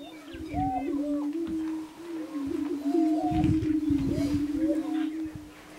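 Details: Prairie chickens on display give a continuous deep, humming drone, joined by scattered rising and falling whoops and cackles layered above it, with a short gap near the start and brief lulls.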